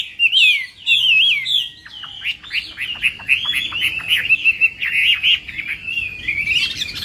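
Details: Chinese hwamei in a competition-style morning singing session: fluid whistled phrases open, then a long rapid stream of short notes, ending in a bright, rising flourish.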